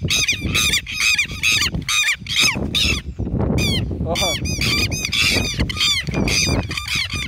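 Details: Flock of southern lapwings attacking a person, loud harsh repeated calls with ringing harmonics, several birds overlapping in rapid bursts amid rustling and human voices.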